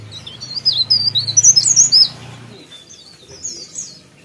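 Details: Sooty-headed bulbul in full, energetic song, pouring out quick chirpy twisting whistles for about two and a half seconds over a low steady hum, followed by a few fainter scattered phrases.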